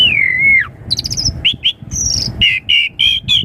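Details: Asian pied starling lure song for young birds, opening with a long wavering whistle, then a high buzzy trill and a series of four short, evenly spaced whistled notes.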